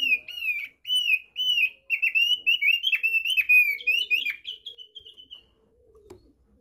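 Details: A Thick-billed white-eye (the NTT form) gives its basic song: a quick run of clear, slurred whistles, about two notes a second, in a steady, bright phrase that fades after a few seconds.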